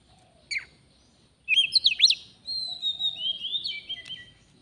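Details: Oriental magpie-robin in the wild, near a trapping setup. One sharp note, then a quick tangle of bright whistled slurs and long steady whistles, somewhat quieter against soft background noise.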